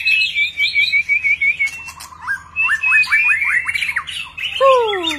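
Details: Displaying white-rumped shama pouring out a varied song of clear whistled phrases, quick rising slurs and trills, ending in a loud whistle sliding downward, with a low steady hum behind.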